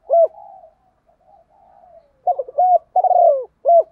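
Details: Spotted dove in the 'thổ' voice blended with 'thúc đấu' urging, a lure meant to draw wild doves in quickly; a single coo, a stretch of faint murmuring, then a rapid run of rough, throaty coos.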